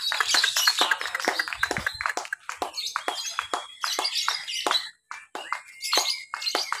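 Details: Competition lovebird, caged at a practice contest in Papua, Indonesia, on 31 October 2021. It gives long ngekek chatter while gripping the bars: rapid, irregular high clicks and chirps with thin whistled strands, broken by a brief pause near the end.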